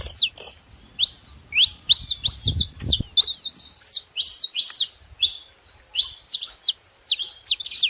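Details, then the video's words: Saffron finches singing together: a dense run of sharp, high chirps and short downslurred notes, several birds overlapping without pause, with brief low thumps in the background. "Canário da terra junto fazendo barulho"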